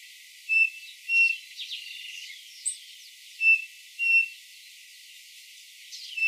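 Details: Cerrado birds of Brazil: pairs of sharp level whistles separated by gaps, with soft scratchy twitters between them.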